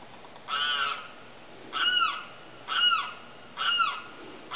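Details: At night a Limpkin gives a flat, nasal, buzzy cry, then three loud, sliding, descending wails at about one-second intervals, with soft background hiss.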